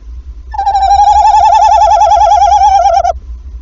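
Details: At a nest in Wassenaar, Netherlands, on 11 February in the evening, the male tawny owl calls about half an hour after the female laid her first egg, and she answers: a long, wavering trill-like hoot, steady mid pitch, about 2.5 seconds.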